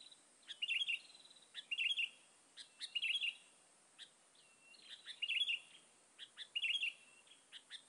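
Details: Sooty-headed bulbul calls used to lure other bulbuls: short bright chirpy phrases repeated about once a second in bursts, some with rising or falling whistled slurs, over a faint steady high hiss.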